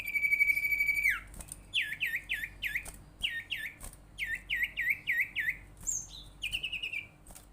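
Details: Common iora lure call used to get other ioras calling: a long level whistled trill ending in a downward slur, then a rapid series of rising, hooked chirps in quick succession, with a short high note near the end.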